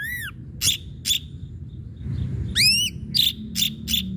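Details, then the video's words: Ashy drongo singing on a lure track meant to make other birds answer: arched, downslurred whistles, short harsh rasps and a few sharp notes, spaced irregularly over low hum. "srigunting abu abu gacor PANCINGAN"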